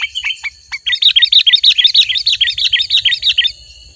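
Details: Sooty-headed bulbul singing in a lively, chattering style: a few separate chirps, then a long, even run of about twenty quick, bright warbled notes lasting nearly three seconds, with a soft low rumble and a steady high tone beneath.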